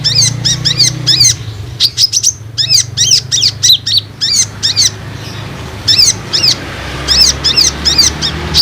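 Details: High, piercing Olive-backed sunbird chirps, played as a lure for untrained and group-kept sunbirds, come in tight rapid clusters with bending, slurred notes, nearly continuous, above a soft low hum.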